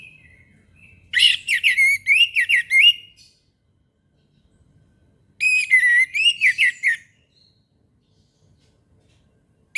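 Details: Orange-headed thrush in morning song: two long, rapid, warbling runs of slurred whistles, each lasting about two seconds and separated by a few seconds of near silence.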